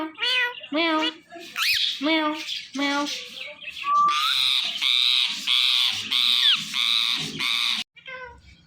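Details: Pet Ringneck parrot talking into a phone while watching itself: repeated nasal, voice-like syllables, a short rising whistle, then a long series of loud, harsh, squawky talking notes.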